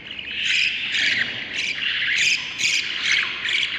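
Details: Budgerigar chicks in the nest, one of seven hatched, day 38: rhythmic raspy, wheezy squeaks pulsing about twice a second over a steady buzzy background of other nestlings.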